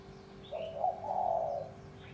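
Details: Spotted dove with a bronze-bell voice, crooning to call in wild doves and arouse males and females; a single smooth, low, drawn-out coo lasting just over a second, with a faint background hum.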